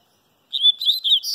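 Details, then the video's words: Sunbathing papa-capim baiano (Sooretama seedeater) breaks into a rapid, high-pitched warbling run of sliding, twittered notes after a short silence. "papa capim baiano tomando banho de sol"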